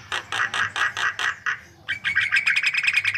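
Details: White-vented myna in vigorous lure song: six or seven harsh, buzzy notes evenly spaced, followed by a fast train of sharp, high clicking notes.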